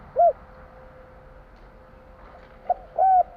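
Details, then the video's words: Spotted dove of the Javanese type in its 'kuk 3' three-note song style: a single soft low coo, then after a pause a short note and a longer, even coo, with quiet background hum. "Suara tekukur kur 3 besar / burung tekukur suara/Terkukur Kuk 3/ bunyi burung tekukur jawa kuk 3"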